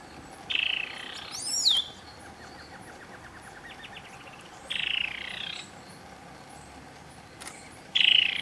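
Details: Black-cowled Saltator at Palambla, Piura, Peru, repeating harsh, buzzy calls about every three to four seconds; a sharp, sweeping whistle and a soft series of descending ticks come from another bird.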